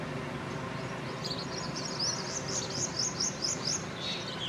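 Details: Black drongo giving a quick series of bright, high chirping notes, about a dozen in close succession, with a constant low rushing background noise throughout.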